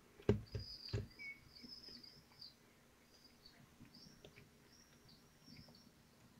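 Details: Common kestrels at a nest in Théding, France, on 25 June 2023, as prey is brought in and pulled at during feeding; thin, high whistled notes repeat between loud thumps and scuffling in the nest.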